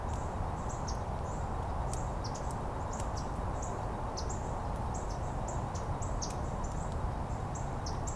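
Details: Painted buntings at a feeder in Miami, Florida, early in the morning: many short, high, thin chip notes repeated irregularly throughout, some in quick pairs, over a steady loud low rumble of background noise.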